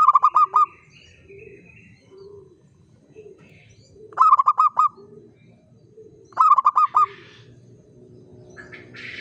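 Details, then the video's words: Local zebra dove singing in the common 'uraa' style, actively and steadily: three bursts of rapid, pulsed cooing notes a couple of seconds apart, with softer, lower drawn-out coos between and a brief hiss at the end. "SUARA PERKUTUT LOKAL URAA UMUM GACOR NGAYER"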